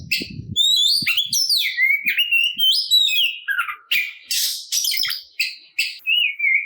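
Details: Aggressive Oriental magpie-robin fighting song that provokes rival birds into singing: bright whistled slurs mixed with harsh buzzy bursts and quick chattery notes, with a few soft low thumps early on.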